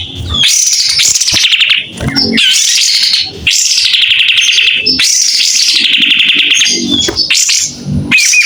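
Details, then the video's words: Clear song of a White-rumped shama opening its tail while singing: rich whistled phrases rising and falling, each lasting about a second, separated by short gaps with soft low chatter. "Kapas tembak gacor buka ekor.. SUARA JERNIH"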